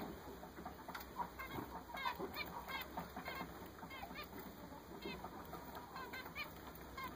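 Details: Group of newly purchased zebra finches keeps up a continuous, dense patter of short nasal beeps and honks, many overlapping, fairly soft, over steady hiss.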